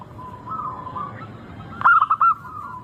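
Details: Local zebra dove song used as a lure to get birds singing: a soft continuous cooing murmur, then one loud, clear phrase of three or four rapid rolling coos near the end.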